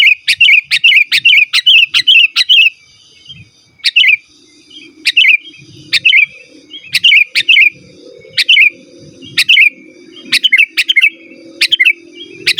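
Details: Energetic sooty-headed bulbul song used to lure wild birds in the forest and to tutor kept bulbuls: rapid bursts of bright, bubbling chirps repeated in quick runs with short pauses, over a soft background hum.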